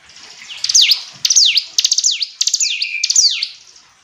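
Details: Hill prinia singing a series of bright, steeply falling whistled notes, each dropping then flicking back up, repeated roughly every half second with brief pauses between bursts.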